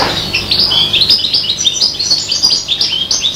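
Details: A five-month-old serin x bronze canary hybrid gives a goldfinch-like phrase, a quick, evenly paced chain of high chirped notes, some rising and some falling, lasting just over three seconds.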